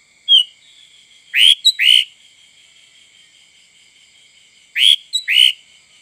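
A Sooty-headed bulbul gives short, bright whistled notes in quick pairs, two bursts a few seconds apart, over a steady high ringing hum.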